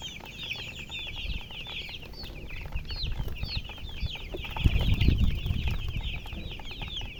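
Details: Chicks calling in a crowded flurry of sharp, high, downward-slurred peeps, several birds at once, with a burst of low thudding noise midway through.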